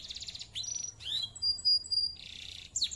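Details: Clear-voiced canary singing to rile rivals, with a short buzzy trill, rising slurred notes, sustained high pure whistles and a dense rattling roll.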